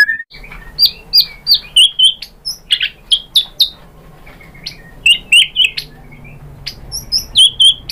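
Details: White-rumped shama song used to provoke other shamas: high, rapid chirps and sharp upward-flicked notes, about four per second, with short whistled slurs between bursts.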